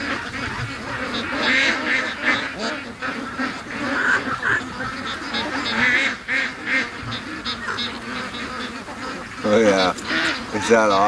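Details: A flock of free-range ducks rushing out on a Sunday morning, giving continuous overlapping quacks and honking calls. A brief, sharper, higher call stands out near the end.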